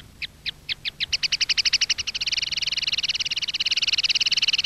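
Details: Common linnet field song for training young linnets: spaced chirps that speed up into a fast, continuous twittering trill, with light background hiss.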